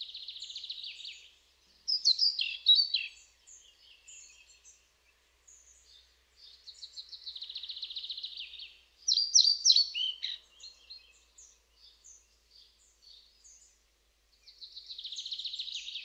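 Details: European pied flycatcher singing. Short, bright, high chirping phrases with sharp up-and-down notes come about every seven seconds. Between them, a quieter, steady, buzzy trill of high notes runs in the background.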